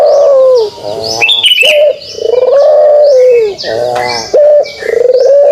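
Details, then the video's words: Pelung dove giving its kugeruk call: long, loud, tonal coos that waver slightly and fall at the end, with sharp hiccup-like breaks between phrases, repeated several times. "suara kugeruk burung puter pelung"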